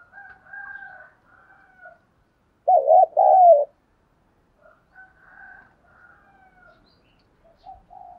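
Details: Spotted dove with a good voice, from a recording meant to stir caged decoy doves into calling. Soft, low cooing phrases come and go, with one loud, wavering two-part coo in the middle.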